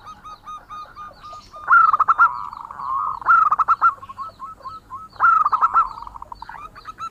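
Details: Male local zebra dove in full song, natural voice used as a lure: soft repeated coos building into three loud stuttering bursts of rapid bubbling notes, each trailing into rolling trills.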